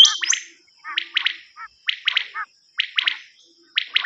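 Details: Common quail, recorded for a quail-hunting cassette, calling in quick triplets of sharp notes about once per second. The recording opens with a high squeaky note and has a thin constant whine behind it.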